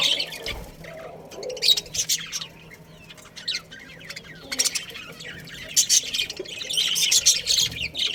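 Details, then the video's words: Pet budgerigars kept as a colony with a breeding pair, giving scattered high chirps and squawks that swell into a lively overlapping chatter in the second half. "Cute Budgies Chirping Sounds"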